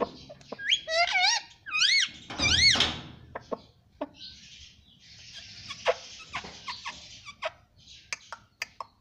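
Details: Pet parrot that talks, saying "mummy papa": a few bending, squawky harmonic syllables early on, then softer clicks, hiss and scattered short notes.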